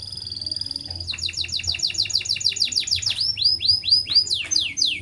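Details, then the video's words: Canary in breeding condition with a sustained high whistled note, then fast repeated descending sweeps slowing into broader arched notes, a continuous rolling song. "TEMBAK AN KENARI NGEROL PANJANG PUL BIRAHI"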